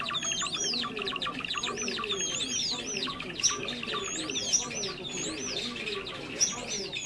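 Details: Trapping lure of Java sparrows, birds met in rice fields and farmland: a steady stream of arched, bouncing whistled notes repeated roughly every second over thick twittering, with a few sharp clicks.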